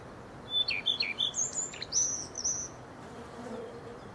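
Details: Redstart singing: a short burst of high, thin whistled and twittering notes, some rising and some falling, packed into about two seconds, then only faint background hiss.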